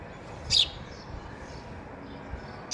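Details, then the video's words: Sparrow near a sparrow house gives two short, high chirps about two seconds apart over a faint background hum. "chaklino avaj"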